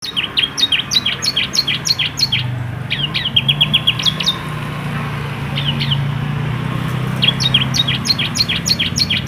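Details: Yellow canary, a master singer used to train young canaries, giving bursts of rapid high chirped notes repeated in quick trills, pausing mid-phrase, over a low steady hum.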